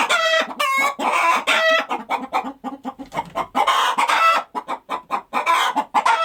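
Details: Farm chickens busy clucking, opening with nasal harmonic squawks, then rapid short clucks in an uneven run, more squawks rising again toward the end.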